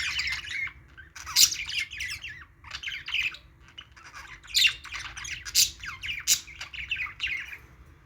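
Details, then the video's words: Chirping from playing budgies comes in short clusters of rapid, scratchy warbled notes and squawks, separated by brief pauses, with a few loud snapping clicks. "budgies playing sounds"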